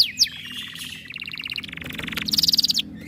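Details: Canary in breeding condition, aggressive on hearing other birds, sings a mix of sliding whistles, stuttering repeated notes and a grating rattle, ending in a quick high trill of bright pulses.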